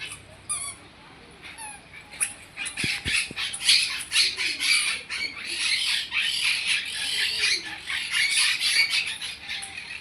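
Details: A caged parrot at Trichy Birds Park aviary in India gives harsh, rapid, high screeches in dense bursts, roughly two per second, which the speaker jokingly takes as asking to be let out; a man's voice and other aviary birds are heard too.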